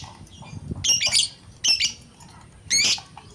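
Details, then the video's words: Lovebird calling in spirited, agitated bursts: three harsh, shrill chattering squawks about a second apart, each a short buzzy cluster of high notes, over a low rumbling background. "BURUNG LOVEBRID BERKICAU | AUTO NGAMUK"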